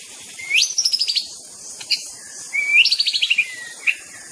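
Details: White-rumped shama (murai batu) singing: a clear rising whistle that breaks into a quick descending series of bright notes, heard twice, each time ending in a short sharp note, over a soft steady hiss.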